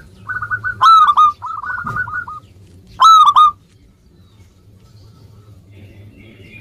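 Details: Local zebra dove singing, intended as a lure for doves that are slow to sing: a rattling series of quick coo notes with two louder ringing bursts, then several seconds of near silence.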